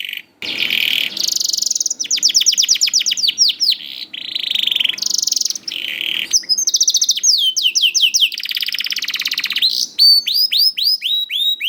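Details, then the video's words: Young canary song played as a lure to get reluctant canaries singing. Loud, continuous and varied, with rapid buzzy rolls and trills, bursts of repeated descending whistled sweeps, and dense chattering phrases. Barely a pause throughout. "PANCINGAN KENARI PAUD TERBUKTI AMPUH MEMANCING KENARI SUSAH BUNYI IKUT GACOR"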